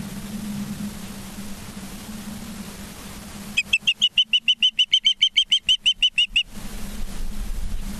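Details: Nest-cam recording of ospreys in Charlo, Montana, 19 September 2023 at dusk: after steady low hum, a three-second burst of about twenty shrill, evenly repeated whistled chirps rings out, then the hum returns.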